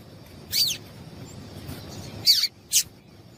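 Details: Female double-collared seedeater giving short, high, slightly descending chirps, three in a row with uneven gaps; a call meant to excite males. Quiet low background noise.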